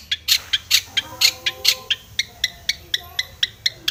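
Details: Long-tailed shrike described as seeking a rival, delivering a regular series of rasping harsh notes, louder at first and then softer, spaced roughly a quarter second apart.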